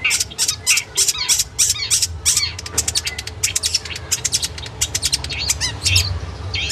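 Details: Long-tailed shrike song from a training recording for caged birds: rapid series of sharp, high, broadband chirps, irregularly spaced at about 100 per minute, with a low background hum.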